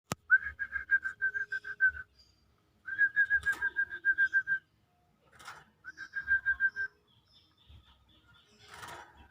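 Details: Woodpecker from Sampit, said to be very vocal compared with the onion woodpecker: three bursts of rapid, evenly spaced piping notes, about ten per second, each burst lasting one to two seconds, with short clicks and rustles between.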